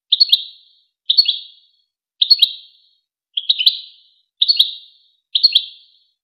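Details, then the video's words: Short European goldfinch phrases from the famous Wakr Touzgha tape used to teach goldfinch chicks and hybrids. A clipped, tinkling double or triple chirp repeats six times, roughly once a second, with silence between. "شريط وكر توزغة الشهير لتسميع فراخ الحسون و الهجين"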